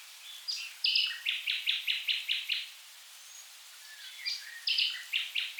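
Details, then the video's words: Nightingale song from the Rhine river wetlands in south Germany: two bursts of loud, sharp notes, each repeated about six times in a steady rhythm, separated by a quiet pause. "Nightingale Birdsong In The Wetlands"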